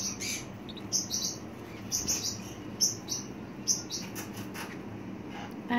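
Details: Pacific parrotlet kept as a pet, uttering thin high tweets in loose groups mixed with short clicking and rustling sounds, irregular rhythm, quiet background hum.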